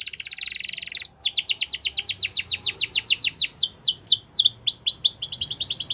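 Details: Canary singing to get other canaries to sing along; a buzzy roll, brief gap, then a long run of rapid downward-sweeping whistles and a final dense trill.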